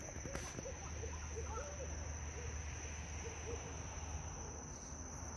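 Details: Barred owls, five in a park at night, calling back and forth from unseen perches; a run of faint, low, arched hoots repeats through the middle seconds over steady insect hum and a constant high-pitched tone.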